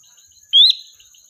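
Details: Sooty-headed bulbul, a lure bird calling the flock: a single rising whistled note, clear and brief, ending in a short level tail over a faint steady high hum.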